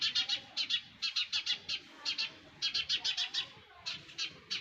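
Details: Baby sparrows calling from their nest, a fast run of shrill, rasping cheeps grouped in short bursts, near-continuous and sharply pulsed over a few seconds.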